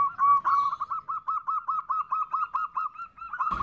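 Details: Calling female zebra dove, the nutut call used to draw a male: an even train of clipped, husky coos at a steady quick pace, ending in a sudden burst of noise.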